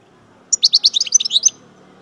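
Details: Chardonneret, the European goldfinch, from Algeria and described as major, delivering a single one-second phrase of quick tumbling twitters, bright high notes run together in a fast jingling sequence.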